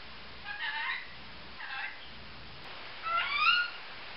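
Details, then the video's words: A pet female grey-green olive lorikeet gives three squeaky, nasal calls over about four seconds, the last longer and more whistled with rising notes, against a faint steady hiss. "Lorikeet Noises"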